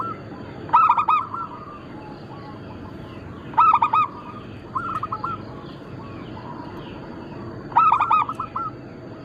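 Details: Local zebra doves of a Bangkok-cross line, kept as a lure and training recording. Loud bubbling cooed phrases, each a quick stuttered run of notes, come about every three seconds, with softer cooing from other doves in between.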